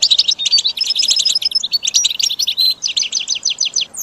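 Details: Goldfinch song for training caged birds: crisp, rapid twittering phrases of repeated high, sharp notes, with rhythmic ticking series and a short pause near the middle, loud and clear throughout.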